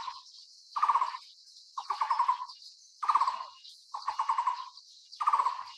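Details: Taiwan Barbet calling during chick feeding: five short bursts of low, fast, hollow knocking notes about a second apart, over a steady high-pitched insect-like buzz in the background.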